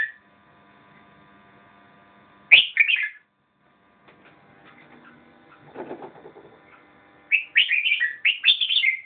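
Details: Red-whiskered bulbul singing in short bright bursts of warbled, slurred notes, one phrase early on and a quick run of repeated phrases near the end, separated by a quiet stretch with faint murmuring background noise.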